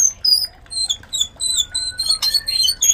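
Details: Breeding-context white-rumped shama: sparse thin, very high whistled notes and short slurs with quiet gaps, one lower flat whistle in the middle; a mating sound meant to excite other shamas.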